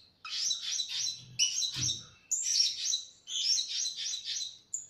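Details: Blue-crowned hanging parrot (Loriculus galgulus) lure call: shrill, high-pitched chattering twitters in four or five quick bursts, with a faint low thump partway through.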